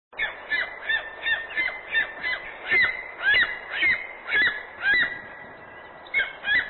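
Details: A golden eagle (Aquila chrysaetos) chick gives thin, high, slurred squealing notes about twice a second in uneven bursts, over a soft background hiss.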